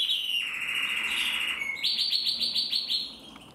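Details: Male canary from a Loisachtal breeder singing: a sustained rolling trill sliding gently downward, then a fast series of repeated bright upswept notes, about eight in quick succession.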